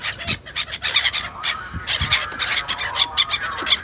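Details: A crowd of gulls at Yakutsk gives loud, nasal, honking cries in rapid overlapping bursts. Low rumbling noise sits underneath.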